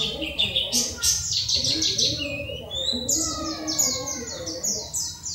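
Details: Training song of an oriental white-eye (pleci dakun): rapid high, falling chirps in dense runs, then a clear rising whistle and a new run of descending notes, with a soft low hum beneath.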